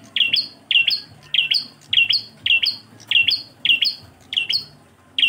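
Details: Bar-winged prinia (prenjak klawu) giving engkel-style song: steady, evenly spaced high double chirps, about two per second, bright and clean against near silence.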